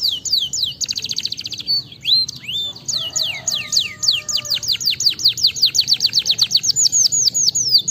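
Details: Canary singing, meant to stimulate lazy canaries: high swooping notes and a buzzy trill at the start, then a long rhythmic series of repeated down-slurred whistles, about two or three each second.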